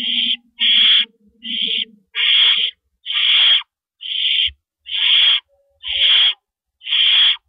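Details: Owl calling at the nest in the early morning darkness of April 4, 2012, during rabbit prey deliveries. Nine harsh, hissy screeches follow one another about every three quarters of a second, with a low murmur under the first few.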